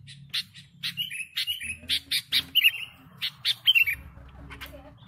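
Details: Sooty-headed bulbul in full voice for attracting birds: irregular bright chirps and descending whistled slurs, several notes per second in places, with a low hum underneath.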